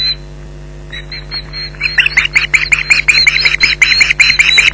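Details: Osprey at its nest at Loch Garten, Scotland, on 15 July 2011, calling in alarm against a persistent intruder, two birds shouting; after a quiet second, rapid piercing yelps repeated about three times a second.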